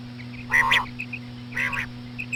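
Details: Slow female common quail calls for drawing in quail: two nasal, buzzy calls about a second apart, faint soft notes between, and a steady low hum throughout.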